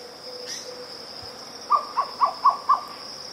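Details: A grey plantain-eater gives a quick run of five hollow, mid-pitched notes, about four per second, over a steady high insect buzz; its call is rendered "cu-mcu", with blue-spotted wood dove also present in the recording.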